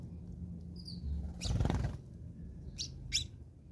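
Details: House sparrows fighting in South Africa: a soft whistled note, then a noisy flurry of fluttering wings, followed by two sharp chirps.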